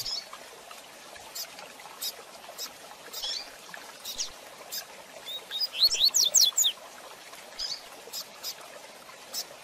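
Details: A training song of the rusty-collared seedeater, fast Tui Tui Zel Zel de Fibra style, meant for young birds to learn: one rapid volley of high, sweeping whistles past the midpoint amid a steady background of light clicks.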